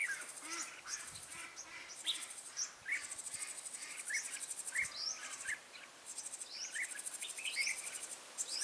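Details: Red-whiskered bulbul used as a lure bird for trapping, 14 March 2017: bright whistled chirps and quick downslurred notes scattered through the clip, over a loud continuous pulsing of crickets and insects.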